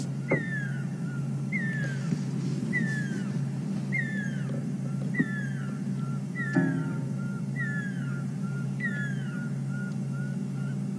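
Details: A Pearl-spotted Owlet sings on a sunset safari drive, 7 September 2015, near lions, answered by what sounds like another: a run of piercing whistles sliding downward, about one per second, then short level notes, over a low engine rumble.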